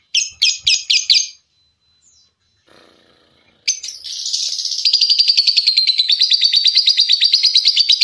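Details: Lovebird ngekek for contest training: a few quick, shrill chirps, a pause, then a long, rapid rattling trill of high buzzy notes running without a break for over four seconds.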